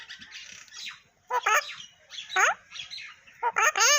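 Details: Pet parrot talking: loud harmonic squawking bursts at about one-second intervals, each with rapidly sliding tones. Softer chattering and whistled notes fill the gaps between them.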